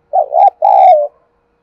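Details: Spotted dove cooing to stir wild doves into answering: a clear, mellow two-part coo, a short wavering note followed by a longer steady one, then silence.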